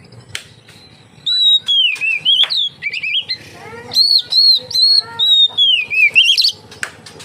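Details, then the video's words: Oriental magpie-robin song meant to lure other magpie-robins into singing: after a quiet start, repeated loud whistled phrases of level notes and swooping slurs, with some lower sliding tones mixed in. "suara burung kacer untuk penarik / pancingan kacer gacor santai"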